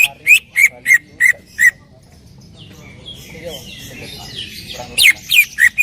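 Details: Greater green leafbird, loud song: five evenly spaced sharp downslurred notes, a pause with soft chattering, then a fresh series of four more ringing notes.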